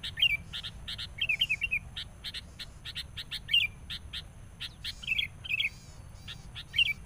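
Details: Enraged sooty-headed bulbul used as a decoy while trapping, meeting a rival. Fast bubbly warbles recur amid a rapid stream of short, high, clicking chirps over low background hum.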